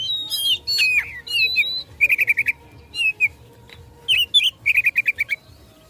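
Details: Oriental magpie-robin in provocative fighting song: rich whistled opening phrases followed by several rapid runs of five or six clipped repeated notes.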